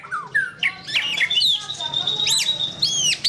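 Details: Captive white-rumped shama song of slurred whistles, rising and falling notes and a long, level sustained tone, broken by quick sharp upward flicks, with low room hum beneath.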